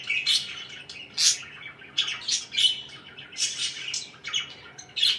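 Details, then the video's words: Domestic budgerigars chirping in separate clusters of bright, scratchy warbled notes with short sharp squeaks, quiet gaps between bursts. "LIFE WITH MY BIRDS (4K WATCH HOUR)"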